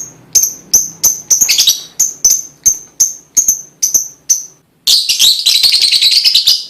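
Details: Lovebird song intended to encourage other lovebirds to sing: about a dozen crisp, high, evenly spaced chips, then a sudden switch into a dense, shrill chattering warble.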